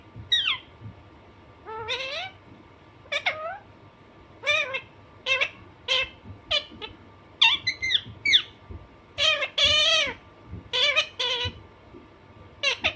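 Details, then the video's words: Natural calls of a naughty pet Alexandrine parakeet: a string of loud, harsh screams and shorter sharp squawks, irregularly spaced over several seconds, some drawn out and wavering, with a soft steady background hum. "Alexanderine naughty parrot/parrot natural sound"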